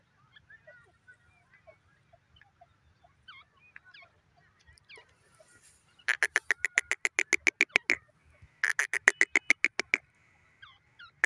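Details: Grey francolin, known locally as teetar, calling: soft scattered chirps give way to two loud bursts of harsh, evenly spaced strident notes, each run lasting about two seconds with a short pause between.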